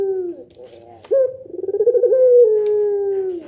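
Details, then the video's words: A Barbary dove's pelung nangguk coo, meant to get other doves responding: the tail of one falling note, then a sudden bright start, a fast pulsing roll and a long, gently sinking sustained hoot. "suara puter pelung nangguk bikin puter lain saling respon"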